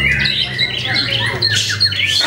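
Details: White-rumped shama (Copsychus malabaricus), a kept bird in Klaten, pours out a fast, unbroken run of loud, varied whistles and harsh chattering notes over a low steady hum; song.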